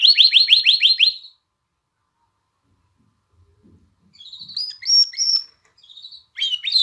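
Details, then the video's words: Canary singing to excite females for mating and encourage chicks to sing: a brief burst of fast repeated downslurred notes, a pause of nearly three seconds, then scattered high whistles and short chirps. "تغريد كناري نار لتهييج الإناث على التزاوج وتحفيز الفراخ على التغريد"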